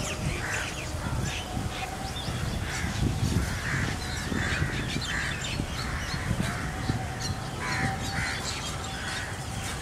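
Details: Rosy starlings on migration, a murmuration over Hamirsar lake at Bhuj in Kachchh on 18 March 2018, heard from under the birds: a steady stream of short rasping chatters, with soft low rumble beneath.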